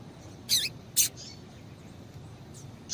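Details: Female double-collared seedeater calling to stimulate a male: two short, high, sharp chip notes close together, a fainter note later, and another sharp note at the end.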